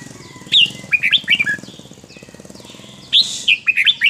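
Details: Red-whiskered bulbul in Thai wild-style song, with two bursts of quick, bubbly whistled notes separated by a pause, over a buzzing low background hum.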